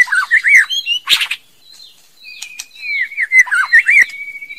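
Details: Singing female white-rumped shama: slurred whistles and chattering notes, a short buzzy burst, then a quieter stretch before a long flat whistle laced with rolling warbled notes.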